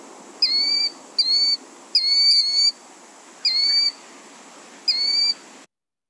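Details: A Killdeer, a shorebird of shores and flat ground that is resident year-round in Nevada, gives five shrill, high, slightly falling notes, roughly one a second, over faint background hiss; in spring it calls shrilly when people approach its ground nest.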